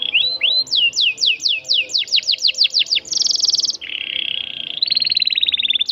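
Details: Energetic canary song with a long roll, offered as a tutor song for young birds: a series of quick falling whistled swoops, then a dense rapid trill, a lower buzzy roll, and another high rattling trill.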